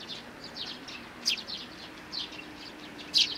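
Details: Three sparrow chicks in May 2019 keep up a quiet, busy twittering chorus, punctuated by two loud, shrill chirps, one near the start and one at the end.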